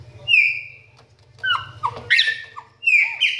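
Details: Chopi blackbird delivering bright whistled notes: a clear rising whistle, then a run of descending slurred notes and rough buzzy bursts, ending in another rising whistled phrase; faint low hum underneath.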